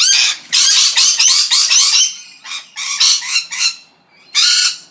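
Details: Loud, harsh parrot screeches pour out in a dense rapid series, then break into separate shrill bursts with quieter gaps between them.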